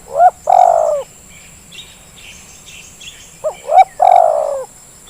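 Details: Spotted dove coos from a lure recording meant to make idle birds call: a short rising note and a long purring coo, faint chirps, then the same phrase again, two short notes leading into a sustained coo.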